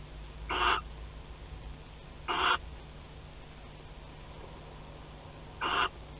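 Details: Barn owls at a nest in Théding, filmed by webcam on 25 May 2020 during cuddling and mating; three short, harsh, breathy hisses at irregular gaps over about six seconds, with a low steady hum underneath.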